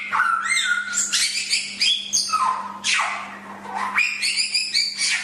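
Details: Samyong or Chinese hwamei in a master song for training birds: powerful rich whistles, long sweeping down-slurs and level tones in varied phrases, with brief pauses and a low continuous hum.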